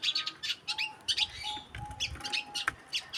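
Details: Masteran recording of long-tailed shrike song: rapid run of harsh, scratchy high chirps and squeaky notes, with a short, plain mid-pitched whistle repeated about every half second underneath.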